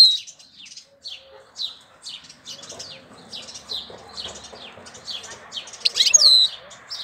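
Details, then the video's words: European goldfinch singing in April, a fast run of high, sliding chirps and twitters delivered almost continuously, building to a louder buzzy flourish with a thin whistle near the end. "Cântec sticlele luna aprilie"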